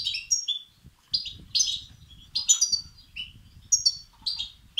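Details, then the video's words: European goldfinch young begging, a recording to excite males. Bright, high chirps bunch into busy bursts about once a second. Soft low-frequency noise runs throughout. "بتبتة وستستات فراخ الحسون الأقوى لتحفيز وتهييج الذكور"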